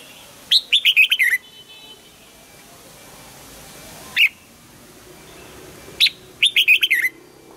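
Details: Morning training song of a red-whiskered bulbul, double-note old-forest style. Bright rattling phrases of about six fast chirps, each dipping in pitch, are separated by single sharp notes and long quiet gaps.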